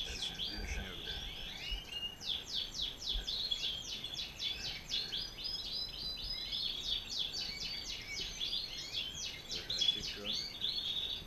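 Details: A paired male and female European goldfinch; continuous bright, tinkling twitter of rapid repeated chirps and trills, high-pitched and sustained through the whole stretch, with a quiet background.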